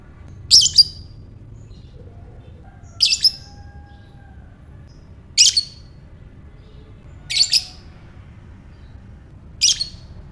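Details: Lovebird producing calls used to trigger ngekek: five shrill, buzzy squawks at roughly two-second intervals, the first and fourth doubled, with a steady low hum underneath.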